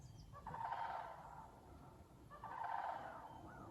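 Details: Distant sandhill cranes, part of a squawking flock heard on a morning walk in September under stormy skies with a rainbow; two softer rolling, trilled calls about two seconds apart over steady background hiss.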